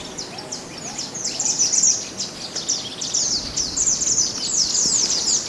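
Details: Mountain white-eye singing naturally, recorded as a master song for training other birds: a continuous, dense stream of very high, rapid twittering notes with steady loudness.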